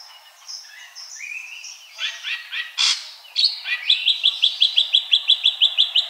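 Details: Ashy drongo singing: varied whistles and short rising notes, one loud scratchy burst, then a fast even series of about a dozen sharp repeated notes.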